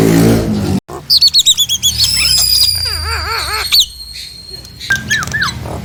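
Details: Nias hill myna singing to provoke silent or lazy mynas into answering and singing; a low hum opens, then loud clear whistles, sharp clicks and a run of rapid wavering warbled notes, ending with a few falling whistles.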